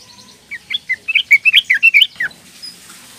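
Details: Young female sooty-headed bulbul calling males, used to coax silent males into singing: about ten bright chirpy notes in a lively, slightly uneven run, ending in a downslurred note, then quiet.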